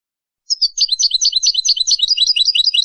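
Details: European goldfinch singing on a song-teaching recording for young birds: after a brief silence, a steady stream of rapid, high twittering double notes repeated evenly, with nothing else audible.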